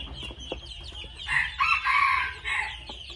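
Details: Two-month-old red junglefowl: a loud, harsh, harmonic call of about a second swells twice over a steady high drone and scattered faint chirps, with a few soft clucks at the start.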